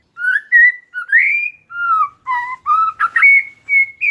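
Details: Oriental magpie-robin song used as a lure to stir a silent caged bird into singing: clear whistled notes in short phrases, some rising and some falling, repeated about every half second.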